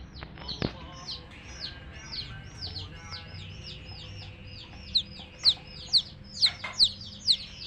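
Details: Several coloured domestic hen chicks give thin, high falling peeps, first a soft scattered chorus, then loud single chirps repeated about twice a second toward the end.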